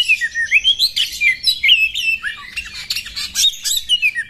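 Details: Female Oriental magpie-robin provoking a male to fan its tail and fight; a steady stream of quick rising whistles, trills and harsher chattered notes, pulsing several times a second.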